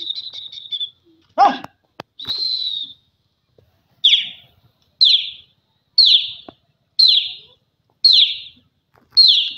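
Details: Francolin calling: after a brief harsh burst, a series of shrill, high, downward-slurred notes repeats roughly once a second in a steady rhythm against a quiet background.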